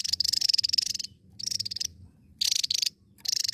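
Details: Javan tesia in vigorous song, giving short bursts of rapid, pulsed, buzzy high-pitched trilling, each lasting about half a second to a second, with brief gaps between bursts.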